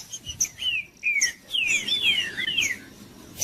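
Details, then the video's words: Caged green-winged saltator song for warming up a cold bird: two downslurred whistles, then a dense flowing run of overlapping sliding whistles, fading to soft chips. "TRINCA-FERRO CANTANDO/ESQUENTAR TRINCA FERRO FRIO"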